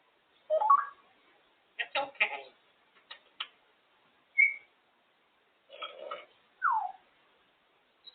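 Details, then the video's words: African grey parrot, a female, entertaining herself on top of her cage indoors; a string of short whistled notes, squawky chatter and one falling whistle spread over eight seconds, separated by pauses. "African grey parrot entertaining herself on top of the cage"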